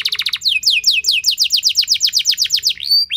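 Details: Canary lure song, loud and long, to draw song from other canaries. A brief stuttering trill opens, then a steady train of sharp descending whistles about four per second, closing on a rising slur.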